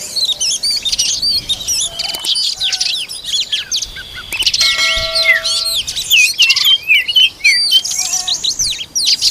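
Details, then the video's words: Oriental magpie-robin feeding its young: a dense stream of high whistled chirps, sweeping upslurs and downslurs, with a few steady tonal notes near the middle and constant overlapping twitter throughout. "Peeking at the Kacer Bird Again Feeding its children"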